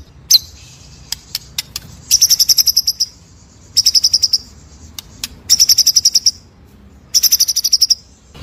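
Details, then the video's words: White-rumped shama tutor song recording in full rolling style: bursts of rapid, buzzy, high trills of about ten pulses each, repeated every second or two, separated by short sharp clicks and ticks. "TERBARU MASTERAN MURAI BATU FULL NGEROL NEMBAK SUPER EDAN!!"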